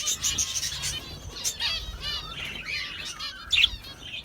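House sparrows chirp busily, with short, bright, overlapping notes from several birds and a few wingbeats in the chatter.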